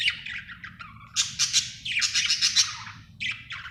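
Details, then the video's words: Budgerigar chirping happily: continuous buzzy warble interrupted by loud bursts of sharp, grating chirps, a lively chatter with a faint low hum behind. "Happy budgie chirping sound"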